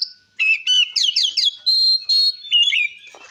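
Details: Oriental magpie-robin song in ngeplong style, used to provoke rival magpie-robins: short whistled notes lead into a run of slurred downward phrases, then long, level whistles and a final warble.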